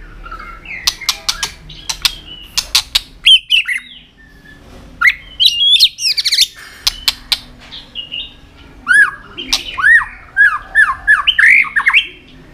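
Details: White-rumped shama in song: sharp clicks and tchak notes, then whistled phrases and a run of repeated falling-then-rising whistles near the end.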